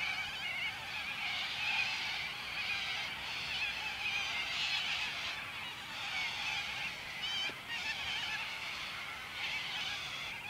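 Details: A large flock of corellas at Warwick, May 2013, calling before eating crops, keeps up a dense, continuous wall of harsh, grating screeches, many birds calling over one another with no pause.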